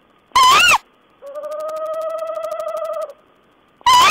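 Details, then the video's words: Owl vocalising, 14 April 2010: a rough, squealing screech that rises and dips, a pause, then a sustained droning tone with a fine pulsed texture lasting nearly two seconds, and another screech starting at the end. "Owl's talk."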